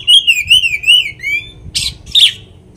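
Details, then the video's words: Oriental magpie-robin singing to provoke another of its kind: a bright, rapidly undulating whistled warble lasting about a second, followed by two loud harsh, hissing bursts. "kacer materian bikin Kacer lain emosi pancingan burung kaker"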